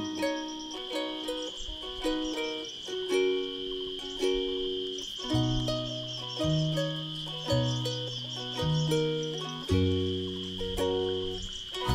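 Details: Plucked, ukulele-like music with a steady bass line and a constant high tone; no animal calls are heard.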